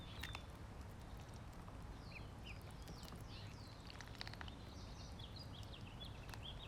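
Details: Ducklings being fed, giving short high rising peeps in scattered bursts over a constant low rumbling background noise, with a few sharp clicks.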